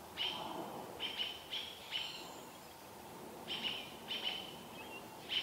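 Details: Robins, American, scolding a barred owl near Vancouver while its baby watches; sharp chirps arrive in two bursts of rapid repeats with a quiet gap between, over faint outdoor hiss.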